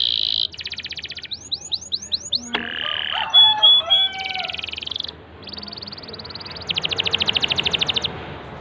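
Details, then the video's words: Singing canary meant to stimulate a silent one: a buzzy note, a fast trill, a run of swooping notes, harsh rasping bursts and a short whistle, then more even high trills. "Masteran TERCEPAT & SUKSES Pancing Kenari MACET jadi GACOR"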